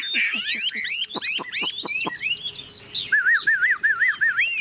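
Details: Tame, large-bodied caged Chinese Hwamei with yellow legs and beak, newly arrived, singing as heavy rain begins: bright, varied sweeping whistles, rapid downward strokes, then a looping wavy trill repeated several times.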